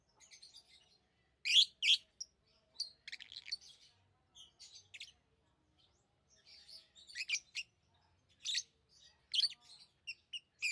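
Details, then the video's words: Tame pet lovebirds chirping in scattered, piercing high notes, some in quick pairs and others alone, with quiet stretches between bursts. "Love birds Sounds | lovebirds chirping sounds"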